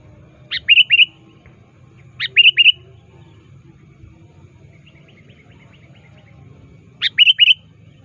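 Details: Sooty-headed bulbul calling to a rival, used as a lure: three phrases of a sharp rising note followed by three quick chirps, spaced about one and a half to four seconds apart, with faint low background noise.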